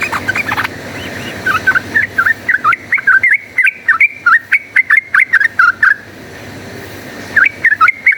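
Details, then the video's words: Rapid fighting-style chatter of a yellow-vented bulbul, used as a lure to train bulbuls into fighters: a steady run of short, sharp whistled notes that dip and rise, a brief pause, then the burst resumes. "cuk cuk uplik uplik ! trucukan gacor ropel tarung"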